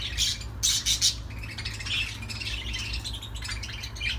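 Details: Budgerigar calls: three sharp, loud squawky chirps open the sequence, followed by a softer, continuous scratchy warble of buzzy notes over a low hum.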